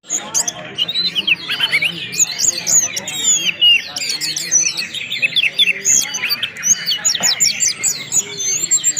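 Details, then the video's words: Orange-headed thrush in the loud, open 'ngeplong' song style mixed with whistling, meant to prompt other birds to sing: dense, overlapping high whistles, slurred rising and falling notes and quick chirps, continuous without pause, with faint background sounds. "ANIS MERAH MANAPUN BAKAL GACOR LANGSUNG BUNYI DENGAN SUARA SUITAN DAN SUARA ANIS NGEPLONG"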